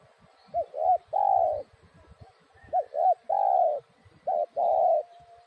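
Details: Spotted dove cooing: three phrases, each of two short rising-falling notes followed by a long steady coo near 600, repeated about every 1.8 seconds, with faint chirps of other birds behind.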